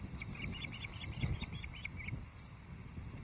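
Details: Osprey at a Loch Arkaig nest in Scotland, 19 July 2023, as the male delivers a third fish, a big headless trout, to the female and a newly fledged young bird; a quick series of about ten short whistled chirps, then low rumbling wind.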